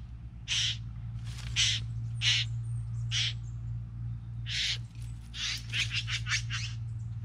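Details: Bowerbirds (three together) give spaced grating hisses, then a rapid stuttering cluster of rasping notes, over a continuous low mechanical-sounding hum.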